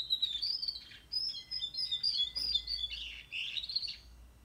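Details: Juvenile canary, 44 days old, singing a soft, rambling warble of high twittering and whistled notes with brief trills, running almost continuously with short breaks, against faint low background hum.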